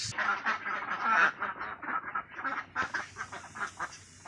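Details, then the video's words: Loud, close ducks quacking rapidly, with strong nasal harmonic quacks tumbling over one another in rhythmic runs that gradually soften toward the end. "Ducks Quacking"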